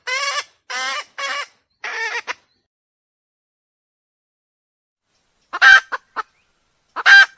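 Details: Red junglefowl (Gallus gallus) decoy hen call, used by trappers to lure wild roosters: four nasal clucking notes in quick succession, then two sharper, louder clucks after a pause.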